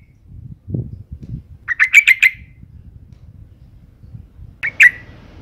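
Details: Sooty-headed bulbul female in breeding condition, her call used to prompt males to sing. A quick run of four or five scratchy, buzzy notes, then a shorter two-note burst near the end, with soft low thumps beforehand.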